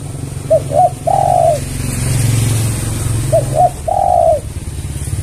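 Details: Spotted dove (tekukur) call used as a lure to draw other doves: two phrases, each of two quick soft coos followed by a long, drawn-out coo that falls at the end, over a steady low rumbling hum.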